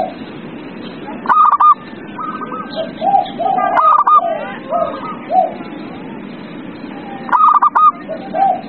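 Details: Zebra dove song for encouraging a silent dove: quick bursts of crisp, ringing staccato notes alternating with lower, rounded coos repeated several times, over a soft, hissing background.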